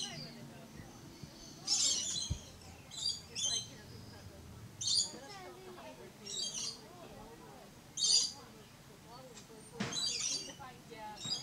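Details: Red-collared lorikeet at Lion Country Safari, Florida, giving harsh screeches every one to two seconds, with chattering notes and a few knocks between them.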